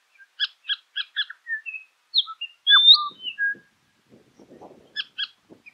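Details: Southern Scrub-Robin, Meningie East scrub, South Australia, 1 August 2021: short stacked chirps repeated in a quick series, then a string of clear rising whistles, ending with faint low rustling and more chirps.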